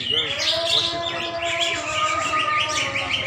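A greater green leafbird pours out a fast, unbroken stream of high chirps and twitters, with a faint low hum and possible voices behind it.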